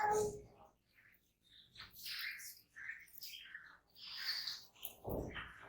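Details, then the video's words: Jungle babblers, gregarious birds foraging in small groups, give harsh, squeaky, chattering notes in irregular bursts; loud broadband noise cuts in at the start and again near the end. "Jungle Babbler Bird Sound"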